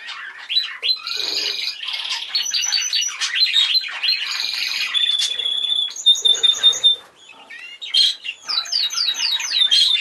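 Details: Budgerigar chick, violet yellowface and hand-tame, chattering in high raspy warbles with quick chirps and short whistled notes, the pattern broken by a brief pause before fast rising chirps.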